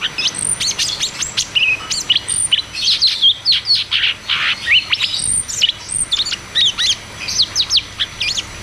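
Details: Caged cucak cungkok singing a rolling, rapid series of sharp whistled notes and quick downslurred chirps, bursts every half second, played as a lure to prompt silent caged birds to sing; faint background hum.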